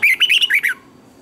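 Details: A single quick phrase from a red-whiskered bulbul singing its morning song for bird training. About six bright, bouncing whistled notes run together, then silence.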